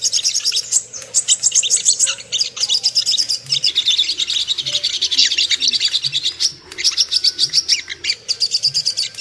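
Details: Ruby-cheeked sunbird lure track meant to make birds aroused and aggressive: long runs of rapid, high, sibilant twitters in dense chattering streams, with short gaps between phrases and faint low thumps.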